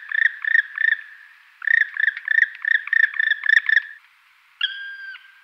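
Black woodpecker giving quick, harsh rolling 'krri-krri' notes in bursts, then a single drawn-out, plaintive whistled call at the end.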